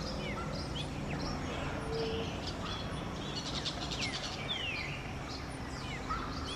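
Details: Small orange-chinned parakeets giving short, sharp chirps and quick slurred rising and falling notes, several scattered through the recording, over a steady low rumbling background noise.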